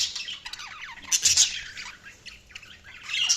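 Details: Budgies chirping softly, thin rising and falling squeaks and twitters, with a louder cluster of sharp notes just after one second and another near the end.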